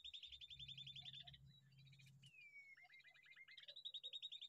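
A young bulbul gives rapid runs of high, scratchy chirps, then a brief falling whistle, under a faint low hum.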